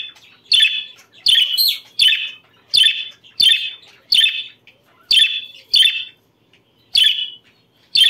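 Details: Budgerigar, recorded to encourage breeding condition in others, gives repeated sharp, squeaky chirps with a slightly rasping edge, about ten in eight seconds at uneven spacing, against near silence.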